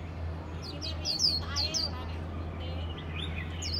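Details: A warbling (Japanese) white-eye sings passionately, with a quick run of thin, very high, sweet chirps and twitters, then a brief pause before a few more, over a steady low hum.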